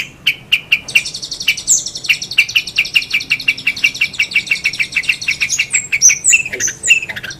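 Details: Long-tailed shrike delivering a steady, rapid string of short mid-pitched notes over a high, scratchy buzz. Sharp whistled flourishes are mixed in toward the end.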